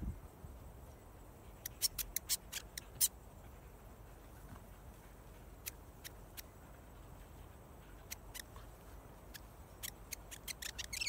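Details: A friendly, talkative New Zealand (pied) fantail, recorded close up, gives sharp, dry clicking chips, singly and in quick clusters of three to five, against a quiet outdoor hiss.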